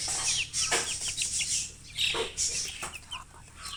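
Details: Chickens chirping busily, rapid overlapping high, downward-sliding peeps at about two per second, with a few louder rasping bursts among them.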